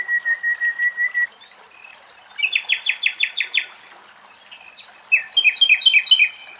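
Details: Common nightingale singing deep in a forest in Greece, in separate phrases: a fast run of even mid-pitched notes, then a rasping repeated series, then a bright rapid burst, with faint hiss behind.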